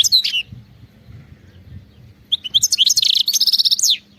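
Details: European goldfinch, khalawi song style: a couple of short, high chirps, a pause filled with low rumbling background, then a quick tumbling twitter leading into a sustained buzzy trill that ends with a falling note.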